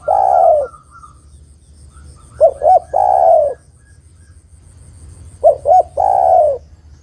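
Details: Female spotted dove calling to a male, played to lure birds: a soft whistle, then two quick hiccuping coos and a drawn-out purring coo, the phrase given twice about three seconds apart.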